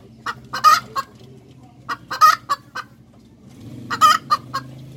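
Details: ['Hen cackles come in three clusters of choppy, nasal clucks, each with one louder stretched note, over a continuous low droning background.']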